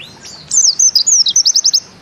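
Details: Short 'nembak ziperrr' phrase by a Bustomi-type white-eye (pleci): thin high slurred whistles running into a quick burst of clipped repeated notes, under two seconds long, with light background hiss.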